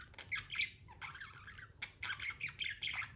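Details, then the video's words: Budgerigars chatter continuously in harsh, buzzy squawks mixed with warbling chirps, rapid and irregular with few pauses; pet birds kept indoors. "budgie chirping sounds"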